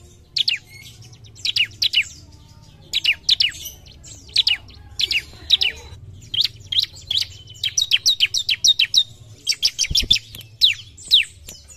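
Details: Javan pied starling in excited full song, said to be fighting an opponent: bursts of harsh chattering and squeaky, buzzy notes with sharp downward-sliding whistles, delivered in short clusters separated by brief pauses, low hum beneath.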